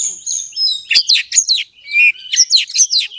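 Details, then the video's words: Oriental magpie-robin (kacer) song used as a lure to stir a rival's aggression for fighting and 'ngobra' display; loud, fast bursts of high buzzy and whistled notes, tightly repeated, with a couple of sharp clicks. "pancingan kacer EMOSI NAIK PELAN - PELAN"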